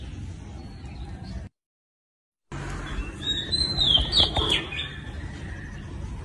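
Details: Oriental magpie-robin singing, a brief run of clear whistled and warbled high notes rising to a loud peak after a sudden silent gap, over a steady low rumbling background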